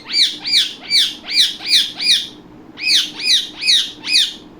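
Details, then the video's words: Ringneck parakeet screeching loudly: harsh squawks repeated about three times a second in two steady series of five to six notes, with a short pause between. "Ringneck Talking parrot"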